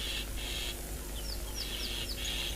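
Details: On a South African morning safari (14 January 2021), Burchell's starlings low in a leadwood tree give agitated, harsh rasping alarm bursts with short falling whistles, likely mobbing a suspected monitor lizard or snake in a hole, over engine or wind rumble.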